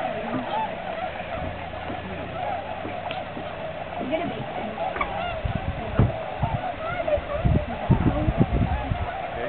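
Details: Tundra swans at a migration stopover, Aylmer Wildlife Management Area, Sunday March 15th 2009; a dense chorus of many birds gives overlapping honking, whooping calls, with low splashes and murmuring human voices beneath.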